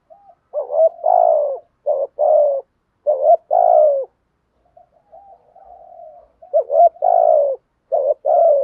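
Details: Spotted dove cooing to stimulate other doves to call: low mellow coos in short groups of two or three, each group a brief note followed by a longer drawn-out coo, with a soft murmur in the pause.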